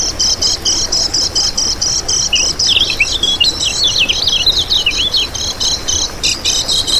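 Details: Lemon-bellied white-eye song for luring and tutoring captive birds: steady high buzzy pulses, then a burst of sharp, zigzagging whistled twitters before the pulsing resumes.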